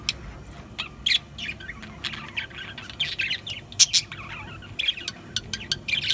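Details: Budgies chirping and chattering in irregular bursts, bright high notes mixed with scratchy squawks, louder spikes around one and four seconds, over a low background hum.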